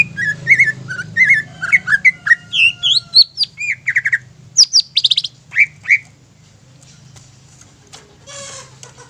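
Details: Greater green leafbird lure song, used to provoke other leafbirds into singing: a rapid string of slurred whistled notes, then sharp buzzy bursts climbing higher, fading to quieter chatter near the end over a low background hum.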